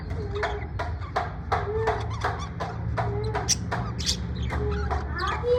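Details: Parrot in the USA, said to be in a good mood, giving a run of short, repeated, mid-pitched tonal calls with sharp clicky onsets, several per second, over a steady low hum.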